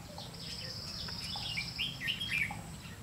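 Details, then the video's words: Trapping decoy red-whiskered bulbul singing ché-style challenge song to rivals: short slurred whistled notes rising and falling, fainter at first, with a constant high insect drone and outdoor background noise. "Bẫy chào mào lăng săng ché-cánh các kiểu"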